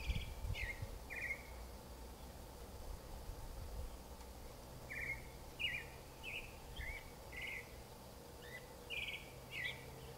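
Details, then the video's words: Creamy-bellied thrush, a South American thrush said to have a sad song, singing in a series of short whistled phrases around the mid-high range, spaced irregularly with pauses, over steady low background noise. "sabiá-poca (Turdus amaurochalinus)"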